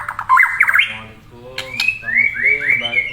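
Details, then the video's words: A murai sings melodiously. A quick burst of rising notes is followed by a string of clear, upward-slurred whistles given close together. "Saura merdu kicau burung murai"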